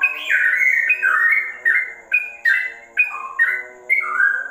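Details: Sooty-headed bulbul in straw-headed bulbul style, giving loud, evenly spaced whistled phrases about once a second, each slurring sharply upward or downward.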